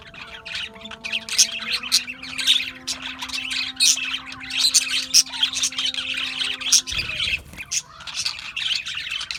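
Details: A group of Australian budgies chirping: continuous busy twittering with sharp squawks, a steady low drone in the background until about seven seconds in.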